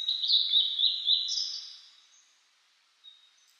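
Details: Blue-and-white flycatcher singing in spring mountains in 2022 after rain, on a cloudy 14°C day. A rapid, loud flow of high whistled and slurred notes fades away, followed by one faint single note.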